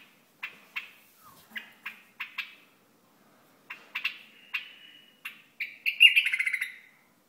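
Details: A Hasawi bulbul sings a series of short, clear notes spaced about a third of a second apart. A brief steady whistle follows, then a louder, richer warbled phrase at the end, with no other sounds in the background.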